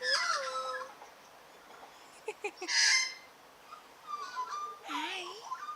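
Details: Australian magpies, two kept birds including a grey-backed female who loves to sing, in a garden with the owner encouraging her: varied warbled phrases with sliding whistles, short harsh bursts and bright rasping notes, with pauses between.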